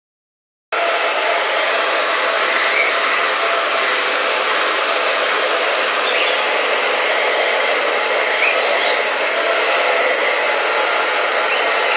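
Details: A steady, loud hair dryer roar fills the clip, with no clear animal sound.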